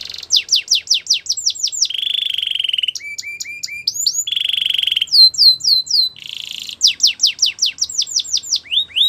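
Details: Caged domestic canary training song with fast runs of steeply descending whistled notes, steady buzzy trills, short rising chirps and rolling tours, changing phrase every second or two.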